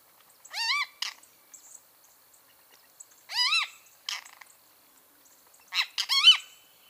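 Great kiskadee giving loud, harsh, rising-then-falling calls with rich harmonics, three bursts spaced about every three seconds; otherwise quiet.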